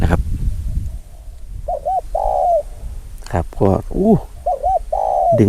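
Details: A spotted dove coos at 13:00 during a male's first training outing at 11 months; a wild dove sits in a mango tree, possibly on its nest. A low hollow phrase of two short coos and a long drawn-out note, repeated; a man talks briefly.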